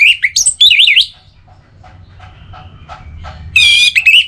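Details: Orange-headed thrush (anis merah), kept as a songbird, sings rapid wavering whistles that rise and fall. A pause filled with faint ticking notes follows, then a loud buzzy phrase and a warbled whistle.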